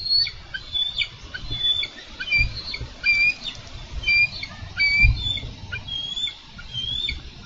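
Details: Bald eagles at a Minnesota nest cam on 4 July 2013, wrestling over a carp the male delivered. High, thin chirped notes come in irregular bursts, some sharply downslurred, over steady low rumbling wind noise.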